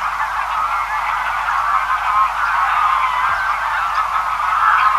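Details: Greylag goose (Anser anser), a large feeding flock heard at a distance: a continuous wash of many overlapping nasal honks blending into a steady murmur, with swallows and white wagtail also present.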